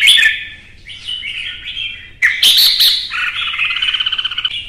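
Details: Vietnamese kept red-whiskered bulbuls locked in a heated singing duel, with a loud warbled opening, a sudden burst of sharp chirps, then a fast rattling trill near the end.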